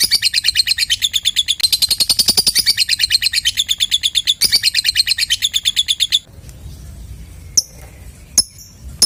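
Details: High, rapid chattering ngekek of a lovebird, meant to set other quiet lovebirds singing; a dense run of fast pulses lasting about six seconds, then near quiet broken by two sharp chirps.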